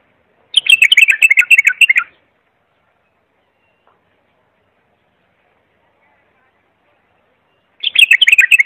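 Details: Clear bulbul singing as a model for young birds: two long, loud phrases of fast chattering whistled notes, about seven seconds apart with silence between.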